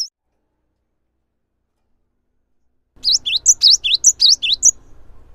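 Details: Java sparrow singing, used as a lure to make other Java sparrows join in; after three seconds of silence, a quick series of high, bell-like looping notes, about eight in under two seconds, then a faint trailing note.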